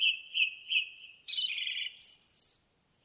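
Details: Indigo bunting singing in a forest: a run of sweet, slightly buzzy mid-high notes gives way to rougher, higher buzzy phrases that climb toward the end, then a brief quiet.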